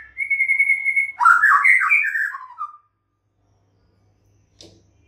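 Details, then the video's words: White-rumped shama singing a long steady high whistle followed by a rich jumble of warbled, slurred phrases that drop in pitch, then silence with a brief faint click near the end. "Justru suara Seperti ini jadikan NYAUT GACOR dan NGEPLONG"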